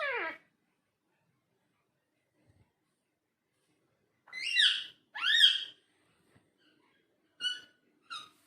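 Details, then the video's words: Pet talking parrot indoors in a small quiet room: a falling whistled note, then two loud rising harmonic calls with a bright squawky tone, followed by two short clipped notes near the end. "Talking Parrot"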